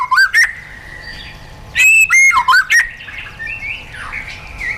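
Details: White-rumped shama in wild-style song used for training caged birds: loud clipped whistles with rising and falling slides, a sharp burst of notes near two seconds, then softer warbled phrases and faint background birdsong.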